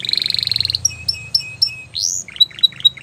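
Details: Belgian canary song: a fast, steady rolling trill, then short repeated whistled notes, a bright upslurred whistle and a run of quick chips, all high-pitched and clear over faint low background hum.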